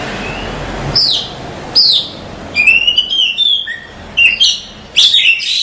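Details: Oriental magpie-robin singing a masteran tutor song for caged birds. Separate sharp upward-sweeping whistles come about once a second, then quick warbled notes and bright trills. A faint low hum sits underneath.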